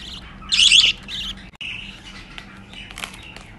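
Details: Six hand-fed budgerigar chicks taking baby formula; a loud burst of harsh, raspy begging squawks near the start, then softer chirps and scratchy calls over a steady low hum.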